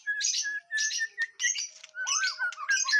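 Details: White-rumped shama being tested for nerve, singing in short bursts of buzzy, chattering notes, each burst led by a clear whistle, with a thin steady tone running behind.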